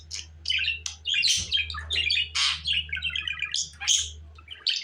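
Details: Continuous budgerigar chatter mixing rasping squawks, bright chirps and quick scratchy trills. A steady low hum runs beneath it, and a soft thump sounds near the middle.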